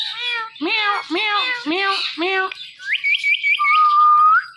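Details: Hand-tame talking pet parrot, kept indoors, gives a run of five nasal meow-like calls, then quick piping chirps and a long, steady whistle that lifts sharply at the end.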